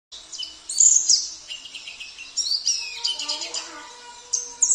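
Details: Sambas oriental white-eye singing a rich song filled with learned phrases of canary, cililin, kapas tembak and jenggot: high, rapid twittering and sharp whistled notes, with a few steadier lower tones joining near the end.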